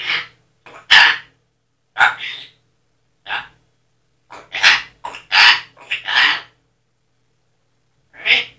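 A parrot mimics speech in rough, raspy bursts, repeating a word like "vergüenza" several times with short pauses. A person's voice may also be heard.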